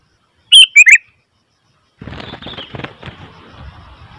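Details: A Sooty-headed bulbul gives one loud, quick three-note bubbly phrase, followed after a pause by rustling, flapping-like noise that continues to the end.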